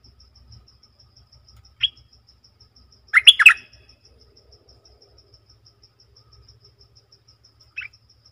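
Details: Streak-eared bulbul on 20 March 2022: a single thin note, then a dense cluster of bubbly chirps, and another lone note near the end, over constant fine high ticking.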